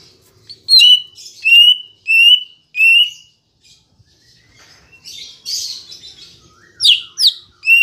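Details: Lure song of a green leafbird meant to prompt kept birds to sing: a series of four steady clear whistles each about half a second, then a quieter scratchy warble, ending with rapid sharp rising chirps.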